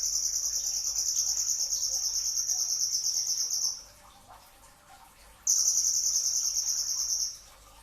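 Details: Brown-throated sunbird, known locally as konin, before dawn: a long, even, shrill buzzing trill of over three seconds, a short pause with faint background, then another sustained high trill.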